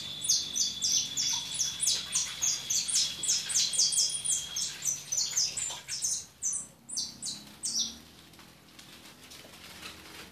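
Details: European goldfinch twittering rapidly with high sweet notes, a steady thin whistle running beneath the first half, then the phrases thin out and fade after about six seconds.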